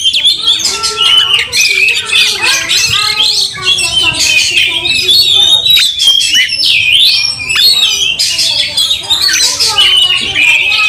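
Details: Angry, fighting Oriental magpie-robin, tail opened, stirring rival magpie-robins to greater fierceness; continuous rich song of quick whistled phrases, harsh squawks and scratchy trills, with overlapping lower tonal notes throughout.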